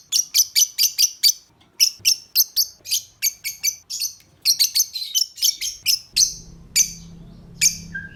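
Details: Ngetik (typing) call of a lovebird, meant to draw other lovebirds to call and come into breeding condition: runs of rapid, sharp, high chips broken by short pauses, with a low hum entering near the end.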